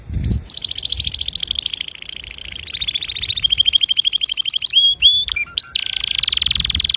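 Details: Male canary singing a pure song to teach young birds: sustained rolling trills of very fast repeated notes, changing pitch between tours, with a few sharp upslurred whistles near the end.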